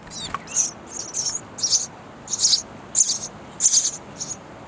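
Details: Young sparrows in a nest box begging as parents bring insects; a quick thump, then a run of high, buzzy chirps of varying loudness.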